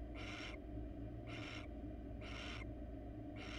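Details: Wild barn owl at a nest box, with a male holding a rat he seems unwilling to pass to the female. Four harsh, breathy hissing screeches, each about half a second long, come roughly once a second over a steady low hum.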